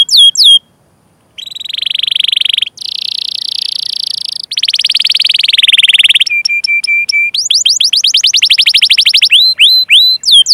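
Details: Canary chirping song for training young or silent canaries: brief whistles, a pause, then long buzzy rolling trills, a steady pulsed tone, and rapid rising chirps at the end.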